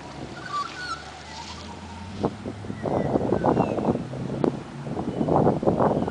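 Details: Australian magpies in Dimboola, Victoria, Australia carol in rich, gurgling, mid-pitched bursts that rise and tumble in quick runs, over a low engine-like rumble and some wind.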